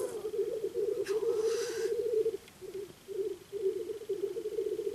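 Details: Black grouse males displaying at a spring lek near Yakutsk, many cocks gathered: a low, continuous bubbling coo rolls on in long phrases with brief gaps, and a soft breathy hiss cuts in near the start.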